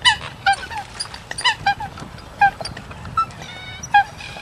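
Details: Eurasian coot calls: short nasal honking notes with stacked overtones, loose and irregular at a little over one per second, and a few thin tonal notes near the end over faint background hiss.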